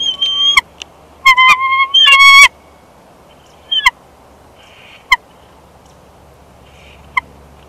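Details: At a Big Bear Valley nest holding a second clutch, the bald eagle pair exchange places on 1 March 2021; a cluster of loud, ringing, piping notes opens the passage, followed by sparse single squeaks.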